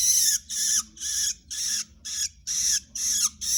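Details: Long-tailed shrike being trained as a tutored bird: a steady series of loud, grating, noisy rasps, each about a third of a second, delivered about twice a second with regular pauses between them.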